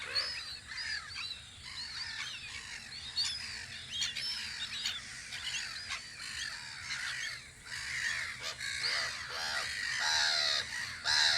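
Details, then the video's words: Gulls at their guard post on Audru polder in spring, outdoors: harsh, harmonic calls rise and fall about once a second, overlapping with high, thin chirps and whistles from other birds in an open rural soundscape. "Kajakate vahipost Audru poldril"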